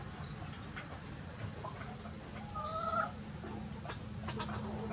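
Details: Free-ranging chickens of many different breeds on a farm on a sunny day; one bird gives a short, tonal, drawn-out call near the three-second mark amid scattered soft clucks, over a steady low hum.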